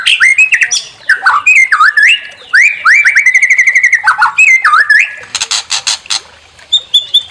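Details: White-rumped shama song meant to goad a bird into singing: loud, varied whistled notes with swooping and dipping phrases, a fast repeated trill in the middle, then a burst of sharp clicking notes near the end.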